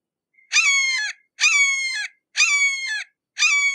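A red-shouldered hawk gives four loud, harsh, slightly falling screams, each under a second long, repeated about once per second, with nothing else heard.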